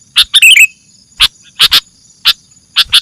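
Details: Sooty-headed bulbul sound played as a lure to attract birds: sharp, separate chip notes about once a second, with a brief warbled, twittering phrase near the start, over a steady thin high hum.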